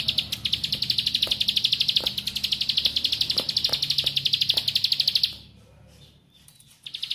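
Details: A bar-winged prinia call used as a lure pours out a fast, unbroken run of high, thin, buzzy notes for about five seconds, pauses briefly, then starts again.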